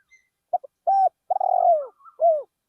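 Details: Spotted dove, a decoy bird in a field, gives one full song phrase: two clipped notes, a steady coo, a long vibrating purr sliding downward, and a last falling coo.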